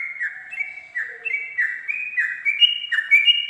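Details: Sooty-headed bulbul at dawn in ropel song for training captive birds, a smooth sequence of whistled notes gradually climbing in pitch, each followed by a lower dip, with a faint low tone beneath.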